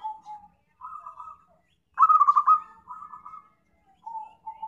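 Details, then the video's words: Zebra dove sound used as a trapping lure: softer warbled coos, then a loud rolling trill of quick stuttered notes trailing into a drawn-out lower coo, followed by quieter cooing phrases. "PIKAT PERKUTUT PALING AMPUH"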